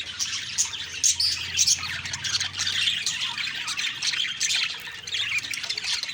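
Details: Many budgerigars calling in the morning, busy high warbles and scratchy squawks layered together, with a faint low hum underneath.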